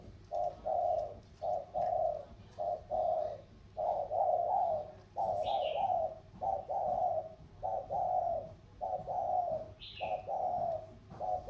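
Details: Lowland Sóc Trăng and mountain Cam Ranh spotted doves of 'thổ' voice cooing against each other. Rhythmic low coos repeat regularly across the whole stretch, and two high falling chirps from another bird are heard.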